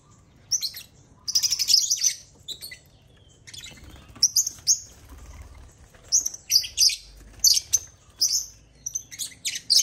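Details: African lovebirds swarming a millet-laden toy construction crane; near-continuous shrill chirping in rapid clusters, with wing flutters and rustling between the calls.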